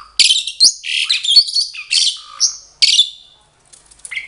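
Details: Bonded captive pair of Asian pied starlings in responsive song; loud, buzzy, rasping phrases packed closely, with harsh squawky notes and a short silence near the end.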